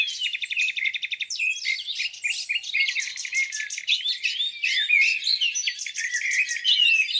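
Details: Several birds sing at a lake on a spring morning, a busy chorus of high twitters, sharp chips and rapid trills overlapping without pause.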